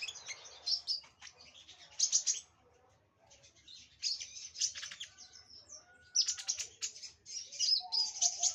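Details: High, rapid twittering from a sunbird, bursts of thin chirps and trills broken by a short quiet gap midway, then longer dense phrases with sharp sweeping notes to the end.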